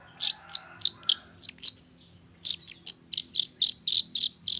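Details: Long-tailed shrike lure recording for the morning, used to prompt silent shrikes to sing: rapid, buzzy, high rasping notes pulsed in quick series, a brief pause, then a faster run of about a dozen notes.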